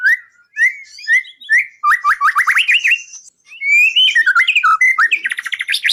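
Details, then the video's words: White-rumped shama training song for songbird contests: paired mellow whistles repeated several times, a quick series of rising slurred notes, then varied warbling and a fast run of rising chips. "Masteran burung murai"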